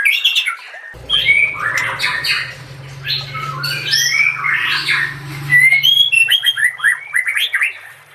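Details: Murai batu, the White-rumped shama, in a masteran tutor recording: dense, energetic run of rich whistles, slurred upward notes and high chips, over a steady low hum through most of the passage.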